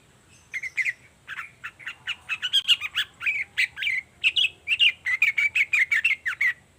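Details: Long-tailed shrike in morning song, a lure to draw a reply from other shrikes: a dense, fast, scratchy chattering warble of many short notes, continuous for about six seconds.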